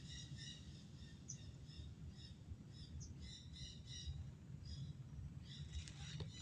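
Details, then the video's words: Wild parrots feeding at royal palm flowers: harsh, harmonic squawks given in short clustered series, some rapid and overlapping, over a steady low rumble of background noise. "sound of wild parrots"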